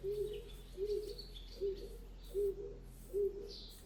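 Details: Pigeon calling near a stable yard while a Friesian mare stands for mud fever care; low, soft hooting coos repeated about every 0.8 seconds, five in a row, over a steady low hum.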